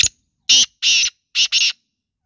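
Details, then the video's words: Female black francolin giving a loud, rasping call of four harsh notes: a brief grating opener, a longer buzzy note, then a clipped double note. Nothing else is heard behind it. "काला तीतर मदी की आवाज"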